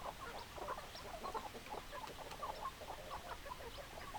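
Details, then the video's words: Hens clucking together in a flock: a steady stream of soft, overlapping, mid-pitched clucks and murmurs, with no clear pauses, heard against a noisy background. "Chicken Sounds Noises Hens Clucking Roosters Crowing"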